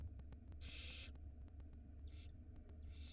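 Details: Barn owl nestlings at feeding time on an Israeli nest camera: a long loud hissing screech, then two shorter, softer rasping hisses within three seconds, over a low hum.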